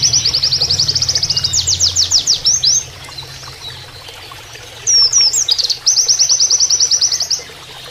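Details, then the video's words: Oriental white-eye singing a canary-style training song over flowing water: fast, high, ringing trills of evenly spaced notes, each trill lasting about a second, with short slurred whistles between the bursts. "MASTERAN PLECI NEMBAK KENARIAN"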